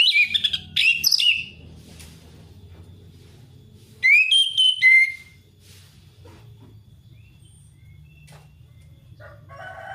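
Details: Orange-headed thrush song played to lure a reluctant male into singing: two bursts of loud whistled, slurred notes with sharp rising and falling sweeps, separated by quiet, over a low hum; a faint chirp near the end.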